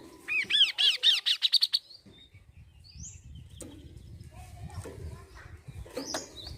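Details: Kaso-kaso bird singing, kept as a lure to get songbirds singing quickly: a loud burst of rapid, ringing arched notes accelerating for about a second and a half, then sparse thin whistles over low background rumble.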